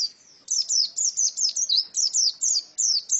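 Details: High-pitched song from a female white-eye: after a brief pause, a rapid string of thin, downslurred chirps linked in quick twittering phrases, clear against near silence.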